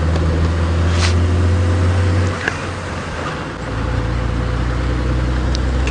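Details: A vehicle engine drones low and steady during an early-morning drive, its pitch shifting partway through, with a few faint clicks and knocks on top.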